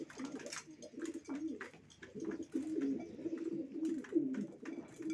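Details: Racing pigeons in a loft, continuous low throaty cooing from more than one bird, with scattered taps and wing rustles.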